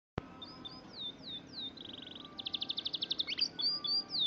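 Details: Oriental magpie-robin song: varied whistled notes, downslurred and upslurred, broken by rapid buzzy trills and fast repeated chips around the middle, ending in clear whistles, over faint background noise.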